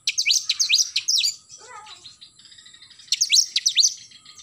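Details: In the morning an oriental magpie-robin pours out rapid series of sharp, rising and falling whistled notes, pauses briefly, then launches another fast burst.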